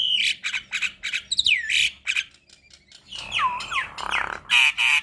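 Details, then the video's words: Javan myna tutor song with long rolls, meant to teach young mynas: loud harsh squawking bursts alternate with sliding, looping whistles and a drawn-out descending note, delivered in rapid uneven runs. "Masteran Jalak Kebo Makun Ngeroll Panjang Guru Vokal Semua Jenis Burung Jalak Muda"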